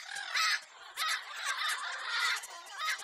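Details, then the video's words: Loud, sharp lorikeet squawks stand out from a steady wash of shrill chattering parrots, recorded to entertain a pet lorikeet. "Parrot Sounds For Birds"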